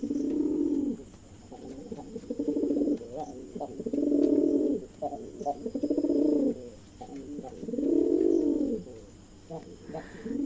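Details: A pair of silver Jalali domestic pigeons cooing at night: deep, resonant, rolling coos, each swelling phrase about a second or two long and repeated several times, with faint background noise.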